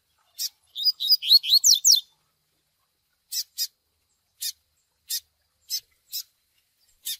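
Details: Double-collared seedeater chick calls combined with Tui Tui Zel Zel song to train a male: a chip, a rapid burst of loud sliding whistles, then raspy high chips spaced roughly every half second.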